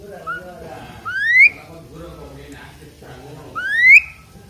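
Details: Asian pied starling singing while being bathed, repeating a clear whistle that climbs steeply. It comes twice, about two and a half seconds apart, with a quiet murmur in between.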